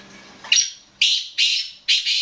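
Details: Kala teetar, the black francolin, gives four loud grating notes about half a second apart, the final one split into a double rasp, over a faint low hum.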